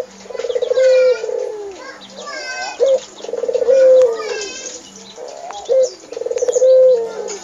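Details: Home-kept Barbary dove cooing steadily: three rounds in a row, each a brief clipped note, then a long throaty trilled coo that rises in loudness and trails off, repeated about every two and a half seconds.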